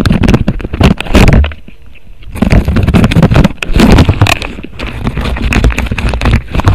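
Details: Loud scraping, thumping and wind buffeting on a microphone at 7:36 pm, 27 August 2018, with a brief quieter gap; no calls are heard.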